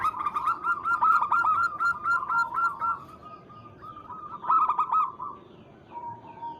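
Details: Local zebra dove calling a rival as a lure: a long, rapid run of rolling coos fades into a steady, level note, then a shorter loud burst follows and a lower, quiet coo ends the sequence.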